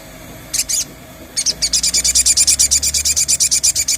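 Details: Crimson sunbird lure recording meant to prompt singing: after two high double notes, a fast, even run of about twenty bright, shrill, high-pitched notes, roughly five per second, with a faint low rumble behind.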